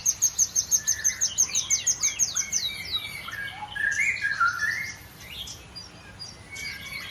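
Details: Morning song of a white-rumped shama at a breeding farm in Bogor: a fast series of high repeated notes, then mellow whistled phrases, over a constant low hum.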